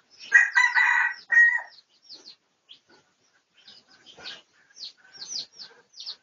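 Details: One crow from a Pradu-type red junglefowl, a research recording from 18 August 2023: a strong banded call of about a second and a half, then scattered sharp chirps of small birds.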